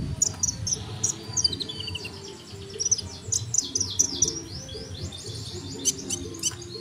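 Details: Sunbird song used for tutoring cage birds: rapid, very high, thin twittering trills and sharp chips in fast sequences, set against a constant low background rumble.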